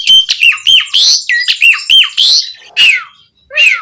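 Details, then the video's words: Jalak suren (Asian pied starling) singing energetically in a variety fill-in style: fast series of squeaky chirps and rasping notes, then two long downward-sweeping squeals with a brief pause between. "Suara Jalak Suren Gacor Full Isian Variasi"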